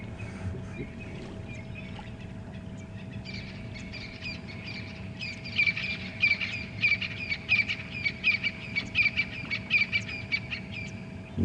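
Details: Francolins calling loudly all around at sunrise on a cold 26 August morning during a safari drive: harsh grating notes from several directions, repeated in quick bursts of rising intensity, over a low hum.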